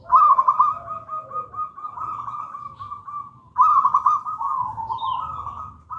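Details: Master and lure song of a wild local zebra dove in the gedang rojo style: two long phrases, each opening with staccato stuttering notes that run into a sustained, wavering purring coo.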